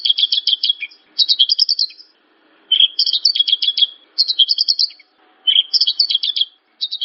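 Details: Javan bush lark delivering repeated bursts of fast, tightly packed chirps, each lasting about a second, separated by short gaps. The song is used to set other larks singing.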